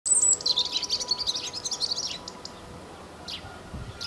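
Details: European robin singing, a varied run of thin, high phrases that open with a very high note and then fall into quick twittering trills, lasting about two seconds before fading to a quiet background with a faint steady hum.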